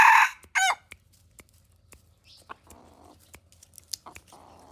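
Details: Pradu-coloured decoy cock junglefowl crowing: a loud, harsh, broken crow fills the first second, then quiet, with scattered clicks and soft rustling noises for the rest.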